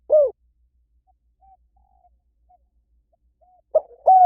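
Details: Spotted dove cooing: a single soft low coo, a near-silent gap with faint notes, then two more mellow coos close together at the end.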